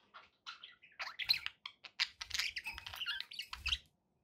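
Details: Budgies kept as pets give a fast, unbroken jumble of squawks, clicks and buzzy chirps with occasional low thumps, ending abruptly in silence.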